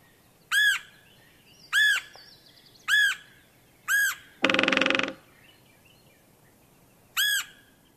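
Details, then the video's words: Red-headed Woodpecker: harsh, ringing calls repeat about every second, with one quick, rattling drum roll under a second long between them; it drums on a dead snag to mark territory to family and neighbouring woodpeckers. "they also communicate territory both with their own family but also with surrounding woodpeckers by choosing a dead snag and drumming on it"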